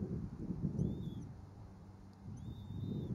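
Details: Bald eagle at the Berry College eagle nest, seen on a live nest camera while two eaglets are at the nest and a parent brings a stick after an earlier large fish. Two thin, high, whistled calls with a slight rise and fall, quiet, over a low rumbling background.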